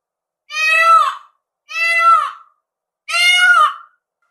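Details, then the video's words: Three drawn-out, nasal peafowl screams about one and a half seconds apart, each swelling and then sliding downward, in an otherwise silent setting. "SOM DO PAVÃO"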